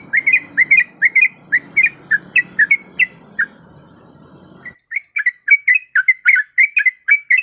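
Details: Sooty-headed bulbul female in breeding condition calling the male, a steady stream of clipped, lively chirps with a brief gap before the chirping resumes even faster.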